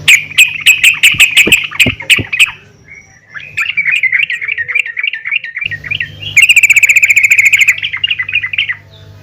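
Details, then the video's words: Female yellow-vented bulbul giving calls to rouse other bulbuls: fast clicking chirps, then a long wavering chatter of bubbly notes, then a very rapid, even trill of bright notes, with a low background hum. "PANGGILAN BURUNG TRUCUKAN BETINA GACOR||MEMANGGIL TRUCUKAN LAIN AGAR RAJIN BUNYI"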